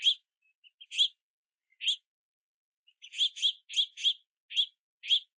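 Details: Several juvenile house finches begging for food at a platform feeder in the rain; scattered harsh chirps, then a quickening burst of seven or eight similar chirps near the end.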